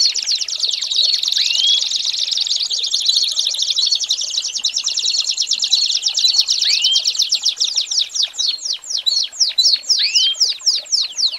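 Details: American Singer canary tutor song for training young birds: a long, fast, rolling trill held steady, then breaking into quicker repeated chopped notes with occasional upward-sweeping whistles near the end.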